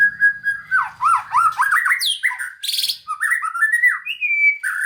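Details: White-rumped shama in full, varied song, used to spur lazy shamas lacking spirit to sing. It gives fast-changing whistled phrases with swooping and warbling notes and one brief harsh buzzy burst midway.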